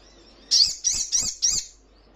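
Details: Ruby-cheeked sunbird in a training recording meant to make caged birds answer and flutter their wings: four sharp, high, buzzy chirps in quick succession over about one second, on a quiet background.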